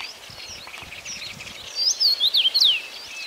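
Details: Common rosefinch singing one short, sweet phrase of slurred whistles that sweep up and down, near the end of a quiet stretch with faint twittering birds farther away.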